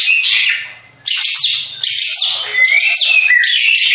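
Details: Long-tailed shrike of Madura stock, a contest champion: loud bursts of shrill, rasping chatter with quick downward-sliding whistles, broken by one brief pause, then resuming at full strength.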